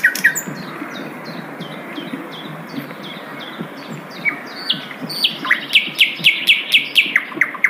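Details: Wild Asian brown flycatcher with a melodious song: faint, thin, high notes at first, then a brisk run of sharp chirps and buzzy bursts repeated about four times a second during the final seconds.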